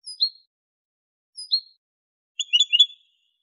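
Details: Clean 'limpio' song from a caged male European goldfinch in Morocco, 2023: two thin descending chirps about a second apart, then a fast liquid twittering trill.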